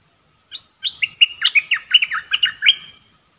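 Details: Caged Red-whiskered bulbul used as a decoy for trapping birds, singing pure 'dok' song phrases: a rapid run of about a dozen bright, warbled and slurred notes lasting roughly two and a half seconds, with no other sounds.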